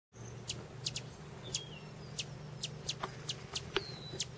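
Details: In Arizona, a hummingbird filmed close up while feeding gives sharp, high chips in quick irregular runs, about two a second, with a few thin whistled notes over a low steady hum.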